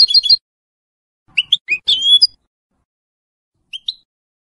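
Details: A 2022 coloured goldfinch hybrid with a large white throat patch, nearly finishing its first moult, sings short bursts of bright, liquid twitters and rising whistled notes, broken by pauses of a second or more; nothing else is heard.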